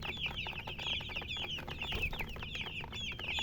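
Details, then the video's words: Many domestic chicks chirping continuously, a dense chorus of high, short peeping notes overlapping throughout, with faint low background rumble. "Baby "Chicks Chirping" Sound"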